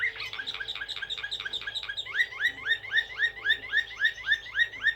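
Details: Slavujar-style blue canary from Serbia repeating rising, slurred whistled syllables at a steady quick rhythm, the notes growing louder and more spaced toward the end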